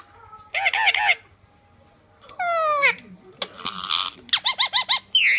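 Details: Blue male Indian Ringneck, a pet parakeet, chatting to a mirror: short bursts of squawky, speech-like chatter with rapid falling whistled sweeps and a run of quick rising notes.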